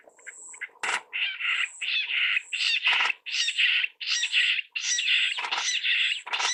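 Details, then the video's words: Harsh, grating jungle bush quail calls repeated in an uneven series, mixing clipped rasping notes with a few sharp broadband clicks. "Jungle Bush Quail Bird Call"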